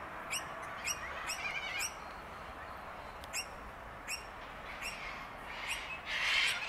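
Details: Sulphur-crested cockatoos, a sociable parrot flying in sizeable groups and screeching at one another, at Bundanoon station, Australia, June 2021: short, harsh, scratchy notes in loose bursts ending with a longer raucous screech, over a steady background hiss.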